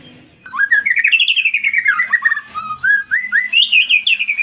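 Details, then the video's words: White-rumped shama song played to get a silent bird to respond and sing: a loud, continuous string of quick whistled and chattering notes that climb and fall, with slurred phrases and rapid high trills near the end. "1 DETIK MURAI BATU MACET BUNYI LANGSUNG RESPON"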